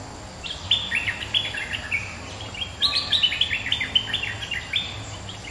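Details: Resident bulbul answering a rival, pouring out rapid bubbly, warbled phrases of short slurred notes, two bursts running close together over a low steady background hum.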